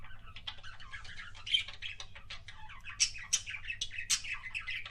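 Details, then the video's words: Budgie kissing sounds from a pet parakeet: fast, continuous twittering of squeaks, chirps and sharp clicking kisses, several bright high notes standing out near the end, low hum underneath. "BUDGIE KISSING SOUNDS"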